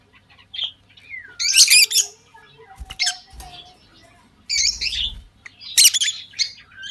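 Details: Lovebirds during breeding season, a pair at a breeding box: loud harsh squawky chirps in bursts, a thin falling whistled note early on, with quieter twitters between bursts.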